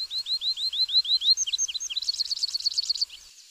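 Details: High, sweet song of a Morelet's seedeater: about nine evenly spaced curved whistles, a few falling notes, then a fast buzzy trill of rapid repeated chips that fades out.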